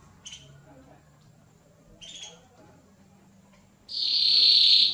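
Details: A mosaic canary sings to stimulate a female for mating: two brief, high chirped notes about two seconds apart, then a loud, dense, rolling high trill that carries to the end.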